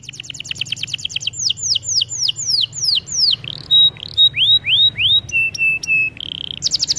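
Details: Canary singing for training purposes, opening with a fast buzzy trill, then slower descending whistled swoops, flat pure whistles, and short sustained tones ending in a renewed rapid trill.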